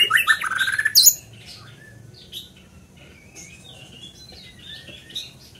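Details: Scarlet minivet singing: a burst of loud, rapid, chattering and whistled notes packed into the first second, rising and falling sharply, followed by faint scattered high chirps over quiet background.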